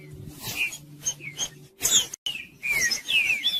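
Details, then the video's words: Trinca-ferro song used to warm up a cold bird, in the judas style: a few short, clear whistled notes sliding downward, with a gap before a louder burst of slurred phrases, over a faint low hum. "MELHOR VÍDEO PARA ESQUENTAR TRINCA FERRO FRIO 2024 | TRINCA FERRO JUDAS"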